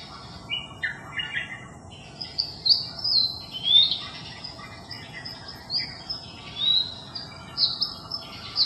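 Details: Long-tailed shrike imitating other bird species, July 8, 2021: scattered chirps and sharp whistled upward and downward slurs, fairly high-pitched, spaced irregularly over a faint hiss.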